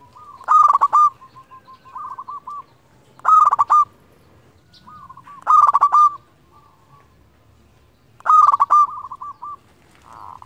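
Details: Local zebra dove, a frequent singer used to call rivals and lure other doves, gives four loud bubbling, stuttering coo phrases about every two and a half seconds. Each phrase trails off into a softer rolling purr.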